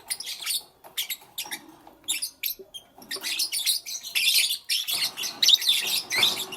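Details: Lovebirds kept as pets chatter in the morning with bright, piercing chirps in irregular clusters, growing into longer stretches of overlapping squeaky twittering toward the end.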